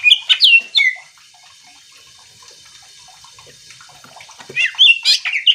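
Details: Greater green leafbird in full song, played to make other leafbirds excited and sing back. Loud whistled, swooping notes for about a second, a near-silent pause with faint scattered ticks, then another burst of rich, warbling phrases.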